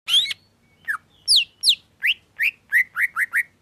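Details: Greater green leafbird, a male kept as a cage bird in Indonesia, sings a series of loud sweeping notes: first downslurred and upslurred whistles, then a quick run of rising chirps about every quarter second near the end.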